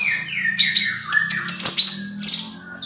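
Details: Young male spotted bulbul, caged, singing a varied phrase of clear whistled notes that slide down from high to middle pitch, with sharp high chirps in between, over a steady low electrical hum.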